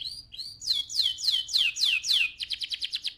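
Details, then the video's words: Canary song for exciting the male and preparing the female for breeding: two short rising whistles, a series of strong descending swoops, then a quick pulsed trill of about eight notes. "Chant de Canari magnifique 2023 تغريد كناري روعة"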